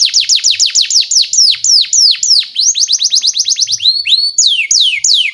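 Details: Canary song for training young canaries: a long series of loud downward-sweeping whistles, several per second, speeding into a tighter trill before slower falling slurs.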